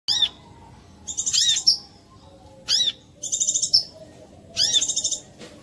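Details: Brown-throated sunbird giving a clear lure song meant to prompt other sunbirds to sing: high, thin phrases of rapid buzzy trills with swooping notes, repeated roughly every one and a half seconds.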